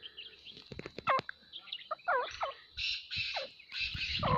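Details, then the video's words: A grey francolin gives loud, harsh, grating calls mixed with squealing notes that slide downward, coming roughly once a second. "Grey Partridge Call | Dakhni Teetar Awaaz"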